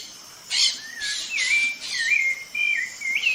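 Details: Sabiá-laranjeira, the rufous-bellied thrush of Brazil, singing sliding whistled notes that rise and fall, overlaid by several harsh, noisy bursts and a steady high background hiss.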